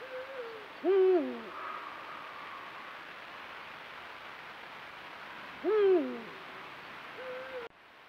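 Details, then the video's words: Eurasian eagle-owl pair in breeding season, calling on a full-moon night near their territory. Two loud harmonic calls, about five seconds apart, each bending down steeply, with quieter level hoots before and after. "NOCHES DE BÚHO REAL EN CELO; cópula, canto con luna llena y reclamos."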